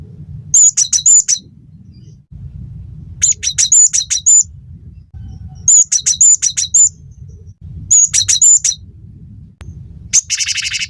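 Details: Cinereous tit singing lively phrases, used as a tutor recording to prompt songbirds: four clusters of thin, high, ringing notes a few seconds apart, closing with a buzzy rasp, low background hum throughout.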